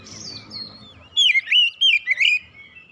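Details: Oriental magpie-robin stirred to an aggressive challenge, showing its repertoire; soft thin whistles lead into a burst of four or five loud, rich, warbled whistled phrases with twisting pitch.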